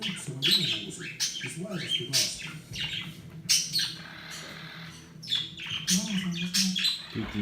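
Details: A cockatiel gives harsh, scratchy squawks and chirps in irregular bursts while a person talks quietly nearby.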